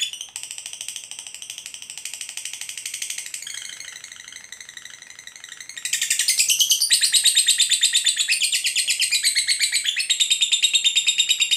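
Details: Long ngekek from a lovebird, used to provoke other lovebirds into answering: shrill rapid chattering that drops in pitch midway, then surges louder and higher and keeps rattling on.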